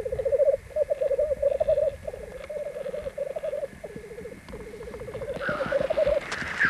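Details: On a Norwegian black grouse lek at Landvik, Grimstad, on 1 May 1994, three fighting black grouse x capercaillie hybrids: continuous bubbling, cooing phrases in quick series, then a harsh hissing rush near the end.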